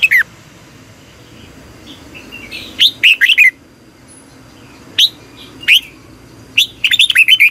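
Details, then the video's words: Red-whiskered bulbul morning training song: scattered single whistled notes, then brief phrases of rapid looping whistles, ending in a fast run of notes. "Luyện chào mào hót sáng 2020 - Ép chào mào hót Giọng kép xoắn dài hay tuyệt, luyện chào mào hót"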